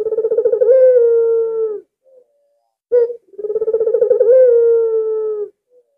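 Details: Albino barred dove, a very vocal bird used as a lure to draw other doves into calling, gives two low cooing phrases, each a rapid pulsed run sliding into a long steady drawn-out note, about three and a half seconds apart.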